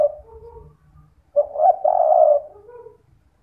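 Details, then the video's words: A single spotted dove coo phrase from a night-time lure for drawing calls from other doves: brief stammered onset, long hoarse coo, then a soft falling afterthought note; quiet background. "Pancingan Derkuku Kuk 2 malam hari/di jamin langsung yg lain ikut bunyi"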